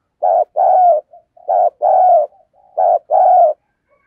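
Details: A decoy spotted dove coos in a standard sequence meant to draw in wild doves. Three double coos, short then long and gently falling, with soft faint notes between pairs and no other sounds.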